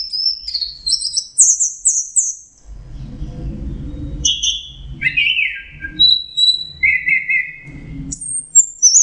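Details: Orange-headed thrush in teler song, with high whistles running into downslurred trills, lower rasping notes and rising whistles, separated by short pauses, over low background rumble.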